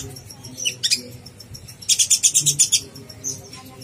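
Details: Brief konin blorok master song for contest birds: a few thin high chips, then one intense, fast buzzy trill of about ten pulses lasting under a second.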